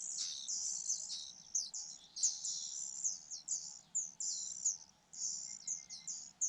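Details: Fujian niltava chicks being fed by the mother give a steady stream of thin, piercing high chirps in overlapping bursts, rising and falling in loudness, with little else audible.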